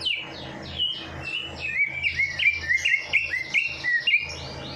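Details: Bird in full song after a night bath, meant to prompt lazy birds to sing: a fast series of high whistled notes, many sliding down, repeated steadily about three per second over a faint hum.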